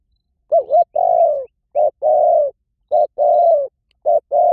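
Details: Spotted dove used as a lure call: three two-part coos, a brief wavering note then a drawn-out mellow coo that sags at its end, given at an even pace with nothing else audible.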